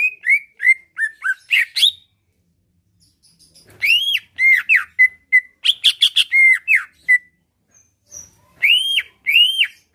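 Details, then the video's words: Greater green leafbird kept as a songbird, its song said to make other leafbirds answer and fight: groups of loud, arched whistled notes in bursts, separated by short silences. "Cucak ijo lain liat dan dengar kicauannya bakal nyaut+gacor+tarung"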